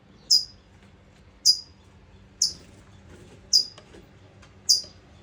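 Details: A female California Towhee chirps worriedly at her nest where two eggs have just hatched, in California on 14 June 2025: five sharp, very high, downward-slurred notes about once a second over a faint low hum.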